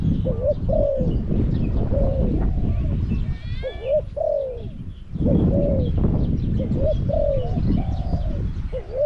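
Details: Spotted dove (Spilopelia chinensis) at Song Phi Nong, Thailand, lured with a decoy bird, gives soft, hollow coos in short phrases about every two seconds, with a brief twitter from another bird and a steady low rumble.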